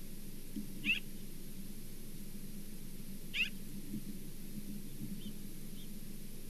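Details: Osprey at the Charlo Osprey Nest, 27 September 2023: two sharp, high whistled chirps about two and a half seconds apart, then two fainter short notes, over a steady low hum.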